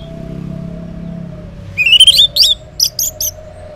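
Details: Orange-headed thrush singing in the morning as a lure for silent males: after a quiet start with a steady low hum, a rising whistled phrase breaks into a quick run of bright, clipped notes.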